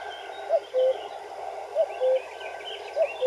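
A common cuckoo gives its familiar two-note 'cu-coo', a higher short note dropping to a longer lower one, three times about every 1.2 seconds over soft background hiss.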